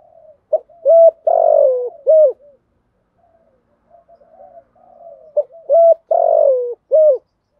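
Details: Spotted dove singing a 'giọng thổ' style 'thúc gù' coo, used to rouse decoy birds: two low, mellow phrases of short and drawn-out hooting coos, with a soft murmur between them.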